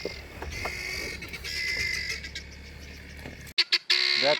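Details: Helmeted guineafowl flock giving harsh, grating, rapidly repeated alarm cackles ending in a loud rasping burst, disturbed and scattering as a leopard came down a tree nearby; man talking over the start.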